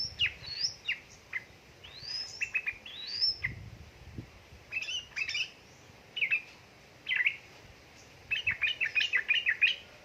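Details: Yellow-vented bulbul, female calling to a male, used as a lure for lazy birds; scattered whistled slurs and sweeping notes, then a quick chattering run near the end, with faint background noise.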